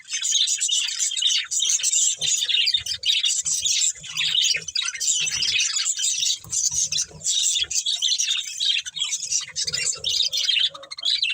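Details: Breeding pair of budgerigars, kept as a family, chattering with dense high chirps and warbles, nearly continuous, with soft low patter and rustling beneath.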